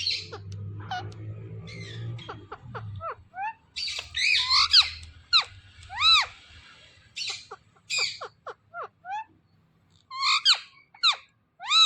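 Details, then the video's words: Talking parrot called "Mithu": a long run of squeaky, whistled, upswept and arched notes with harsh squawk bursts, irregularly spaced, over low hum at the start, with a person saying "Mittu" before it. "Talking Parrot Mithu Mithu"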